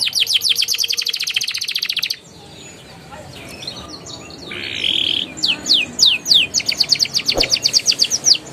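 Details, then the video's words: Canary song used to prompt young canaries to sing: a fast dry trill, a pause with a soft buzzy phrase, then repeated sharp descending whistled notes. "PANCINGAN KENARI PAUD NGERIWIK NGEROLL GACOR EMOSI EFEKTIF UNTUK TERAPI KENARI MACET BUNYI"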